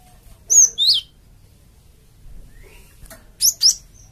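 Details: Java sparrow lure call used to provoke wild flocks into answering: two sharp high whistled notes, one downslurred and one rising, then a quiet gap and another matching pair near the end.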